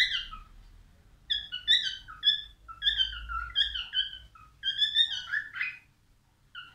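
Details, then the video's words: A male albino cockatiel delivers a lively string of whistled phrases, the notes rising and dropping in quick succession with brief pauses between groups. "تغريد كالوبسيت البينو"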